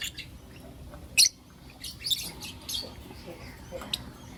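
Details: Morning chirping by blue opaline and lutino opaline lovebirds: one loud, sharp chirp is followed by several softer, high, scratchy chirps spaced irregularly, over a faint steady hum.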